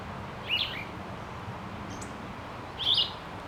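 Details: A plumbeous vireo (Vireo plumbeus) sings on its nest in a forest near Salt Lake City, Utah, in the morning: two short, slurred phrases about two and a half seconds apart over a steady low background rumble.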